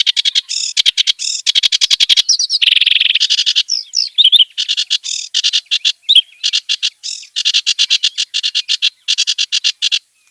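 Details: Wild clamorous reed warbler, known locally as kerak basi, delivering long runs of fast, harsh, repeated chattering notes broken by a buzzy, trilled section and a few squeaky twists.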